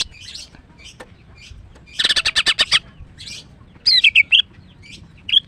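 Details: Female greater green leafbird singing to prompt a male that stopped singing: soft scattered chirps, a quick run of about eight harsh, rattling notes, then a phrase of clear slurred whistles.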